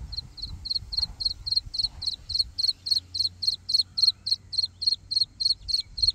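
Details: Black francolin (kala teetar) chick calling: a rapid, steady series of short, high, sharp peeps, about three to four per second, continuing throughout over faint low background rumble.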